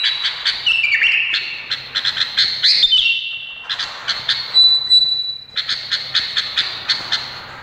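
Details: Indonesian bulbul giving loud buzzy, scratchy notes in quick bursts, with a long pure whistle in the middle, followed by a string of sharp repeated chips.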